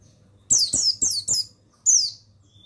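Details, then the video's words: Bustomi mountain white-eye male, used as a tutor for other birds: four rapid high descending chirps in a tight run, then a brief pause and one more falling twitter, over a soft low hum. "Suara Pemasteran yang Untuk Pleci Bustomi"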